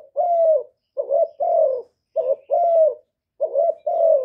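A spotted dove gives low, hoarse paired coos, a short note then a longer falling one, repeated about every second and a half.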